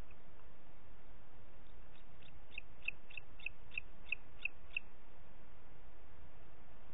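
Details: Booted eagle calling in Parc Natural dels Ports on 30 June 2021 at 11:01: a run of about nine short, high, sharp notes spaced roughly a third of a second apart in mid-clip, over a steady low rumble of background noise.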